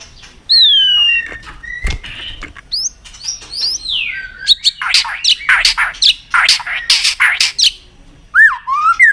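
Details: Aggressive white-rumped shama singing a varied, loud song: clear falling whistles, then swooping slurred notes and a dense run of sharp chattering phrases, closing with rising whistled notes.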